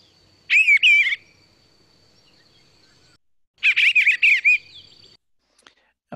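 Eastern Bluebird song: two soft, warbled phrases of burry notes about three seconds apart, over a faint steady high whine.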